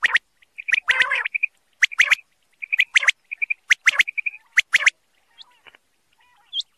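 A male common quail gives short, liquid notes in quick triplets, repeated about once a second and mixed with harsher, sharp strokes.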